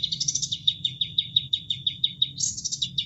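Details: Sooty-headed Bulbul master song meant for tutoring cage birds: a high buzzy opening, then a fast, even series of sharp clicking chips about five per second, ending in another high buzz and chatter, with water running in the background.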